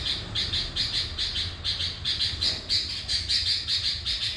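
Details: Sooty-headed bulbul singing a lively 'gacor' lure song: rapid, uneven chirps, roughly two and a half per second, bright and high, over faint low hum.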